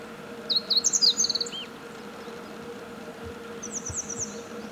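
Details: Meadow bunting delivering one rapid, high-pitched song phrase of sharp chirps running into buzzy trills, then a quieter, thinner series of high notes after a short pause, with a steady background hum.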